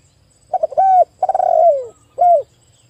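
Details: Three-part cooing phrase from a vigorously calling spotted dove used to draw others: a few choppy notes leading into a held coo, a rolling downslurred coo, then a brief curved closing coo.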